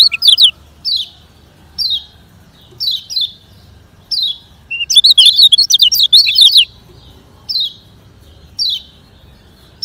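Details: Lemon-bellied white-eye in 'ngejoss speed kenceng' training song: evenly spaced sharp, falling high chirps about once a second, with a quick burst of rapid twittering in the middle.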